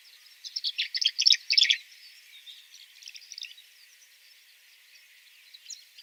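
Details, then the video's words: Tree Swallow giving a burst of liquid, gurgling chirps and twitters, quickly repeated high notes for about two seconds, then softer scattered twitters. "Yeah, this was a tree swallow. I hope you could hear that."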